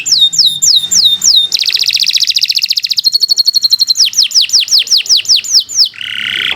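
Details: Prolific 'gacor' canary song for training other canaries: falling whistles repeated quickly, a fast rolling trill, a lower steady rattle, more descending whistled sweeps, then a short buzzy closing phrase.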